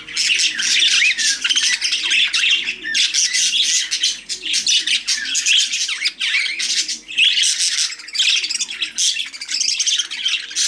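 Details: Nearly eleven seconds of continuous budgie warbling, a dense, overlapping stream of scratchy chirps, squawks and short whistles without a break.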